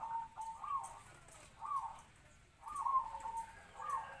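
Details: Captive-bred local zebra dove used as a decoy to lure wild doves, medium-voiced and already singing kwor kwor; three mellow trilled coo phrases spaced by short pauses, fairly quiet against low background hiss.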